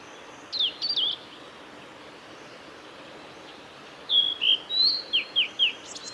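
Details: Singing male blue-and-white flycatcher, Kanazawa forest road by Lake Miyagase, Japan, 17 May 2020. Two high phrases separated by a long pause: a fast burst of sharp zigzag notes, then clear whistles followed by several quick down-slurred notes.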